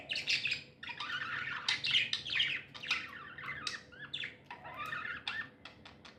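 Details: Budgies described as happy chattering continuously with scratchy warbles, squawky notes and quick clicking sounds, fading to softer chirps toward the end.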